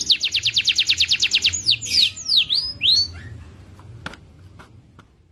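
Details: Lively gacor singing by a tame canary: a fast trill of repeated chirps, then several loud swooping slurs dipping and rising, ending abruptly, followed by a few faint clicks.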